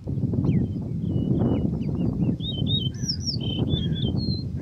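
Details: A singing male yellow-breasted bunting gives a run of descending whistled notes followed by higher slurred phrases, all set against loud, constant low rumbling noise.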